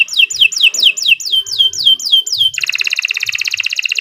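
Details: Canary song used as a lure to get other canaries singing: a run of about ten evenly spaced descending whistled slurs, then a rapid, dense buzzy trill pulsing many times per second.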